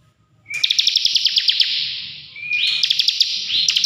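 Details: Bar-winged prinia song from a kept bird: a rising whistled note opening into a dense, buzzy high trill laced with sharp rapid ticks, repeated twice in quick succession.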